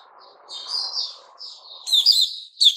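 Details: Sooty-headed bulbul in captivity: drawn-out, wavering whistled notes followed by a sudden loud, harsh, slurred burst at the end.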